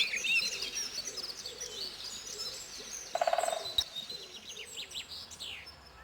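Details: Common blackbird heard early in the morning, soft fluty warbling phrases against a busy dawn chorus, with a brief fast woodpecker drumming roll on a tree trunk midway through.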